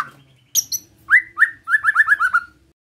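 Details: White-rumped shama singing a relaxed besetan-style song meant to provoke other shamas: two high sharp notes, then a run of about eight clear whistled upslurred notes, quickly repeated.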